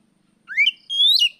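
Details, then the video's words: Oriental magpie-robin singing in the afternoon in the riwik plong style, used as a lure to train other birds: a clear whistle slurring upward, a brief pause, then a sustained high whistle that climbs and drops, ending abruptly. "suara Kacer sorehari riwik plong pancingan Kacer bahan"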